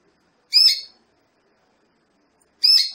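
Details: A female Belgian canary, used to stimulate male canaries into breeding condition, gives two harsh, nasal, buzzy calls, each about half a second long, spaced two seconds apart against quiet.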